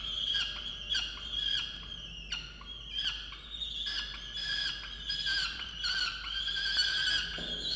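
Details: Research-camera peregrine falcon, Orange, New South Wales, 8 November 2022, angrily calling at its mate over breakfast; rasping wails with harmonics, interrupted by sharper clipped notes about every half second to second.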